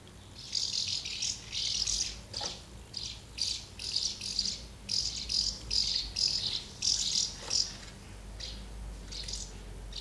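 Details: Many house martins gathering at two nests, with a brief scuffle, busy feeding of young and fledging, recorded 24 August 2012; bright high chirps come in quick bursts, overlapping in a near-continuous chatter with short pauses.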